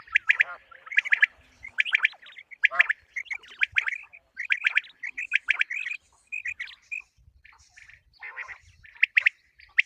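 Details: Common quail calling as a morning hunting lure, with rapid bunched chirps delivered in clusters about once a second, overlapping voices, and faint low thumps in the background.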